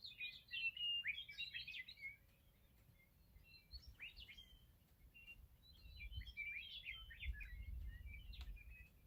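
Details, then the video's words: Meadowlarks in the morning: two bursts of jumbled, fluty, gurgling song separated by a few seconds, with a short whistled note in between and a low rumble of wind behind. "Sounds of Meadowlarks in the morning!"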